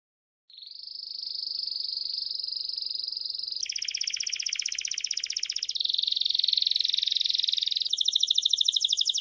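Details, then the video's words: After a brief silence, a Belgian canary sings a long sequence of sustained rolling trills. It shifts through several tours, each a different pitch and texture, and grows louder toward a final high, pulsing trill. No other sounds. "MELHOR CANTO DO CANÁRIO BELGA NA NATUREZA"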